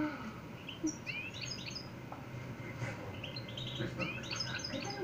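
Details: European goldfinch of the Montijo area, Extremadura, singing nonstop: faint, quick twittering phrases of high, sliding chirps and trills over a low background hum.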